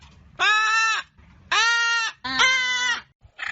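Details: Hyacinth macaw calling: three long, grating, harmonic-rich screeches about a second apart. The last call is rougher and more strained, and a short start of a fourth cuts in at the end over a low background hum.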